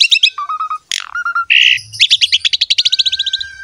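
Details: Javan pied myna in a training recording for other mynas. Mixed chirps and whistles, a grating buzz, then a long rapid rattle of repeated high notes over a steady whistle.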